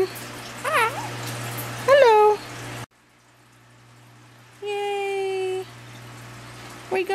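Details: A male pet Quaker (monk) parakeet says a raspy, high-pitched "hello" in short imitated bursts.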